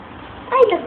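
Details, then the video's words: A pet mynah, which has been taught to speak, utters one brief, voice-like syllable, rich and harmonic like a spoken word, after a quiet indoor hush; the bird is taught greetings like "good morning" and "happy birthday". "Mynah talking"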